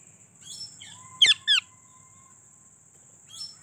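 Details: Pet parrots, more than one, kept at home and said to talk: two loud, harsh, rasping squawks in quick succession, then a faint rising chirp, over a steady high electrical whine and low background hum.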